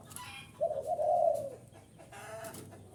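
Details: Spotted dove lure call for attracting wild birds: a single gentle cooing phrase that swells and fades, followed by quiet background hiss and a brief start of another coo at the end.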